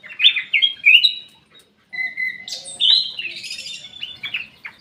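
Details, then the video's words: In an aviary, a black-capped bulbul gives quick liquid whistles and warbled notes, then a brief pause, then a longer run of sweeping, chattering phrases. "KICAU KUTILANG EMAS \ CUCAK EMAS GACOR"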